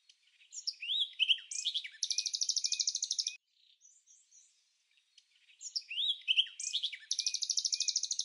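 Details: At Samsonvale, Australia, red-backed fairy-wrens interact outside the breeding season, giving two very high songs of tumbling squeaky notes that run into a rapid dry reel, separated by faint soft twitters.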